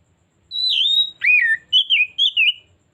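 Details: Oriental magpie-robin singing as a lure: one long high whistled note sliding down, a looping lower phrase, then three crisp clear whistles, rich and melodic in a quiet setting.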